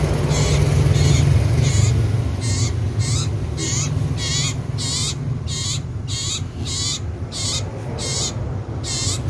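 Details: Common iora calling loudly and persistently: harsh, nasal notes rich in stacked overtones, each with a slight wavering downward bend, repeated about three times a second over steady low hum.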